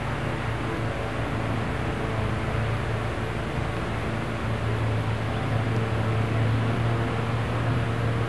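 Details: Loud broadband rumble with a steady low engine-like hum throughout, and no animal sounds.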